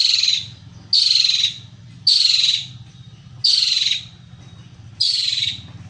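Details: Long-tailed shrike, a caged songbird in full song with varied mimicry: loud harsh rasping bursts around a high whistled tone, each about half a second long, roughly once a second, over a low steady hum.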